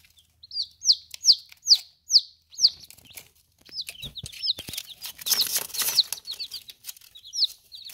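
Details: Baby chicks in their first ten days, eating and drinking: a run of loud, clear, down-slurred peeps about every half second, then pecking and crunching noises mixed with softer, faster peeping.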